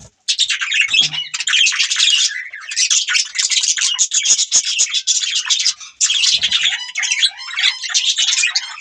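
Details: Budgerigars keep up an unbroken, rasping warble of quick chirps and squeaky notes for several seconds, with a few rising whistled chirps near the end.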